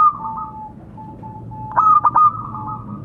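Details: Local zebra dove calling to companions: a faint level hum, then one quick stuttering burst of three throaty cooing notes run into a short sustained trill, over a quiet background.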